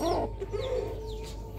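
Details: A rooster crowing on a rooftop: a brief hoarse burst that settles into a steady drawn-out note, with a low hum underneath.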